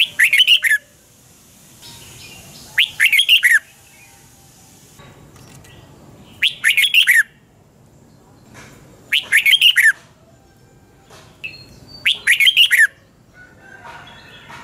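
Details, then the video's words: Morning song of a red-whiskered bulbul in 'double-twist' voice, recorded 2020 as a lure for training birds: short clusters of five or six sharp, warbling notes repeated about every three seconds, with quiet gaps and faint background chirps. "Luyện chào mào hót sáng 2020 chào mào giọng xoắn kép Quá hay, luyện chào mào hót"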